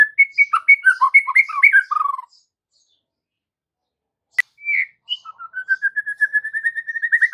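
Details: Afternoon lure of white-rumped shama song meant to coax young birds into singing back. A quick jumble of varied whistles gives way to silence and a sharp click, then a long series of short whistled notes repeated about twice a second, climbing steadily higher.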